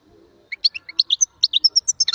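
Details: Short phrase of goldfinch song: after a brief quiet start, crisp, high, varied chirps follow in quick succession, some sliding and some buzzy.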